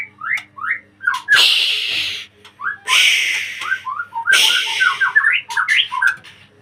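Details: Energetic song of a caged white-rumped shama in a breeding cage: bouncing whistled notes repeated in quick groups, broken by three loud hissing, rasping bursts.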